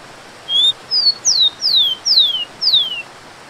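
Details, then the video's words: Rufous-collared sparrow (tico-tico, Zonotrichia capensis) singing: a short steady whistle, then a higher brief note and four clear descending slurred whistles, each sliding downward, spaced about half a second apart, over a quiet hissing background. "TICO TICO | SOM DE CACHOEIRA"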